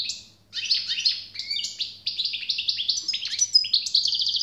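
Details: European goldfinch singing generously, a continuous run of tinkling, twittering phrases mixing fast chirps, short trills and high buzzy notes, with a faint low hum in the background.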